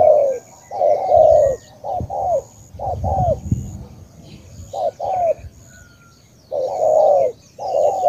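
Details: Spotted dove from Cà Mau, Vietnam cooing in soft, hollow two-part phrases with a pause midway; some low knocking and handling noise appears between phrases, and a faint high whine persists.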